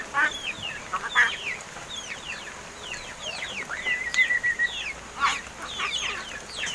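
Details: Seven-month-old pet crested mynas, locally Martinez birds, described as quarrelsome and learning to talk; quick downslurred chirps, a short flat whistled tone in the middle, then bursts of harsh chatter.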